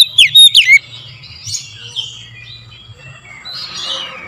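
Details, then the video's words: Morning lure song of an oriental magpie-robin: three loud, down-slurred whistled notes in quick succession, followed by faint, scratchy warbling. "TERAPI PANCINGAN AMPUH KACER DIPAGI HAR1"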